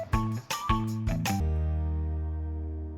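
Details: Short run of plucked, jingly instrumental notes ends in a sustained chord that slowly fades, with no animal voices.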